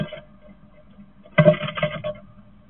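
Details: A great tit on its first morning of nest building makes a short burst of dull knocks and scratchy taps inside a garden nest box, lasting under a second, over a faint low hum.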